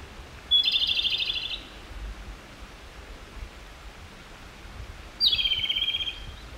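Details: Japanese robin subsong, two phrases about five seconds apart, each a high clear note dropping into a fast, dry, evenly pulsed trill of roughly a second; soft background hiss.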